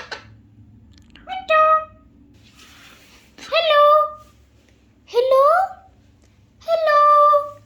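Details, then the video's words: Short spoken-like phrases from a talking Alexandrine parakeet, likely mimicking hello, about every one and a half seconds. Each has a quick rise and a sustained nasal tone, over a low steady background hum. "alexander parrot original sound | alexander parrot talking"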